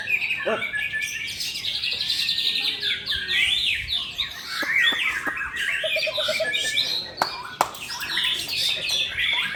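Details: Two white-rumped shamas matched in a song contest deliver busy, high whistled and buzzy phrases without pause, a brief low rattling trill midway, and sharp clicks and clatter from the surroundings.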